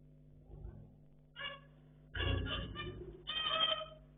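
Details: Zebra finches kept as pets, calling while they play; nasal honking notes build from one short call into a longer run of overlapping buzzy calls, with a low steady hum beneath.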